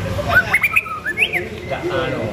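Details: Short burst from a murai batu pastol, a White-rumped shama seen as a future winner: a string of clear whistled notes climbing in pitch, then a quick rising-and-falling slur.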